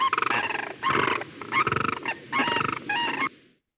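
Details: A bonded pair of Sandhill Cranes gives the unison call, used to defend territory or strengthen the pair bond on breeding grounds: loud, rolling, trumpeting rattles together in four or five bursts of about half a second each.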